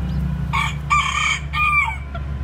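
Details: A bantam rooster crows among newly hatched white chicks with black tails: three strong, hoarse, harmonic syllables, the final one longer and sliding downward, over a steady low drone.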